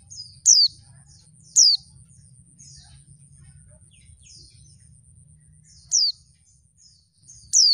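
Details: Female oriental white-eye calling to lure males into song: four piercing, descending whistle notes spaced irregularly over several seconds, with soft high twitters between them and a low background rumble.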